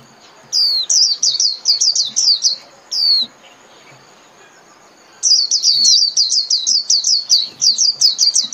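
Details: Japanese white-eye singing in the líu style, a recording played thirty minutes daily to train caged birds: rapid runs of high, thin descending whistled notes, two bursts separated by a pause, over a faint steady high tone.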